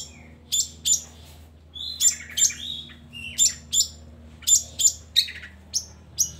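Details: Shrike song used to lure lazy long-tailed shrikes into singing: spaced bursts of very high, sharp notes, often in pairs, separated by brief pauses.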